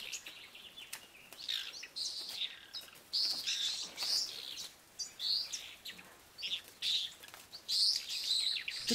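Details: White-rumped swift in its mud nest under house eaves, giving its screaming display to ward off other swifts trying to enter; owner suspects it is incubating. Shrill, high screams in repeated bursts about every second, with scratchy twittering between.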